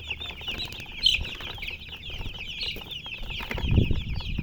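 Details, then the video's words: Colour chickens keep up steady high chirping while louder thumps and fluttering break in around the first second and again near the end. "silly chicken chirping sounds with murgi hen color chicken"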